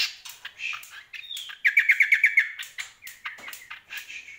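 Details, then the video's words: Greater green leafbird singing energetically, a varied run of chirps and whistles that climaxes in a quick series of about eight sharp rhythmic notes, followed by softer scattered chips, recorded close indoors. "CUCAK KOMBO GACOR"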